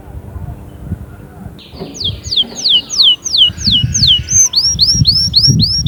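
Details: Canary in song after a quiet start: a series of descending whistled slurs followed by rising curved notes, with low rumbling background noise throughout.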